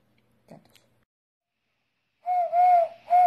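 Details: Eurasian collared dove giving one low three-note coo phrase with a drawn-out middle note, after a faint short sound and a stretch of silence.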